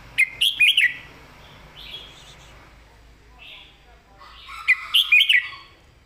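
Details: Red-whiskered bulbul, kept caged, singing a clear master song in southern style. Two loud warbled whistled phrases open and close, with softer whistles between and faint background murmur.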